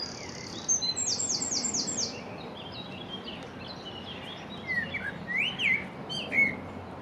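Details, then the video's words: Common blackbird singing from the stump of a sawn-off branch beside the Long Water; a quick run of high, repeated sweeping notes, then mellow fluted and warbled phrases, over steady background noise. "Blackbird singing on stump"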